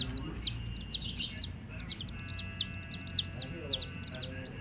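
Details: Coloured baby chicks of the domestic hen peeping constantly: high, sharp downslurred chirps overlap in a busy chorus, with faint human voices and low background rumble underneath.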